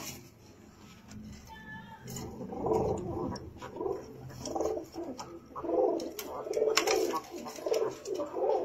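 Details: Pigeon cooing indoors in a small room, described as the smallest kind of pigeon in the world: low, rounded coos repeated in soft bursts about once a second, with faint clicks and a person speaking briefly at the start.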